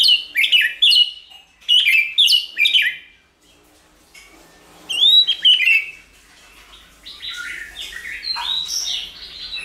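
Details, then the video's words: Shama song for provoking other shamas to sing, opening with a run of loud repeated whistled phrases, a pause, then a few bright notes and softer warbling at the end. "Kích Chòe lửa hót nhiều giọng"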